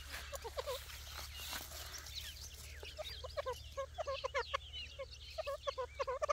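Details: Dakhni grey francolin chicks while feeding give short, bright peeping notes with stacked harmonics, repeated in quick, uneven bursts of two to four, over a steady low hum.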